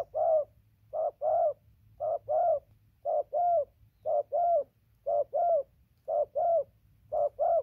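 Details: Recorded 15 November 2020, a spotted dove gives a regular run of low hollow coo pairs, the short note followed by a longer downward-sliding note, about one pair per second, with a steady low hum.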